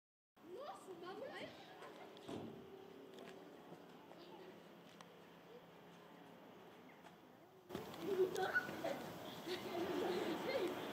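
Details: A flock of jackdaws (Corvus monedula) at Embrun on 21 November 2019 at 16:45 chatters in many overlapping short, squeaky 'tchak' calls, several a second, with rough wind or handling noise swelling in the last seconds.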